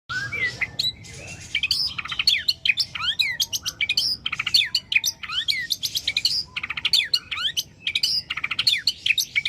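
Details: Male white-rumped shama in the wild, from abroad, singing loud rich song: clear whistled slurs rising and falling, mixed with rapid chattering notes, phrases following each other almost without pause.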